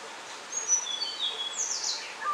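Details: Tickell's blue flycatcher, one hop from its warm shelter and watchful, gives thin, high whistled notes that step downward, then a quick falling sweep and a short lower note, over a steady hiss of background noise.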